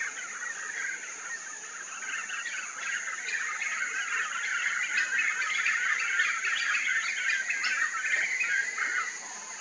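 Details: A flock of Black-fronted Nunbirds in a loud morning chorus, a dense tumble of purring, whistled notes overlapping continuously, with a steady high insect hum behind.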